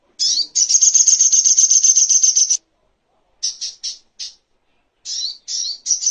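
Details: Little spiderhunter (sogok ontong) training master for songbirds and bird therapy: a two-second rapid pulsing trill of high notes, a pause, then scattered sharp chirped notes in short groups.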